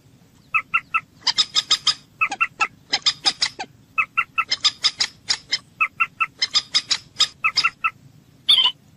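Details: Common moorhen (jal murgi) linked to hunting, giving short evenly spaced clucks in threes between fast runs of brighter, harsher notes, ending with one loud rasping note.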